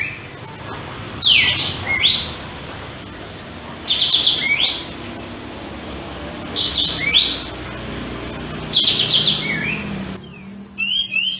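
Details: Sooty-headed bulbul singing eagerly with tail spread: four evenly spaced phrases, each a buzzy burst ending in a quick falling whistle, followed by a brief stretch of quieter high twittering.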